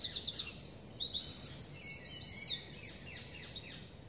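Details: Eurasian wren (Troglodytes troglodytes) singing a loud, very high, rapid run of sharp notes and fast trills with barely a pause across four seconds, over faint hiss, at Parc de la Poudrerie on 23 May 2019.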